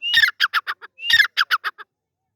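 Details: Two loud partridge (teetar) phrases, each opening with a thin rising whistle and followed by five or six harsh, clipped, buzzy notes that weaken toward the end, with a brief pause between the phrases.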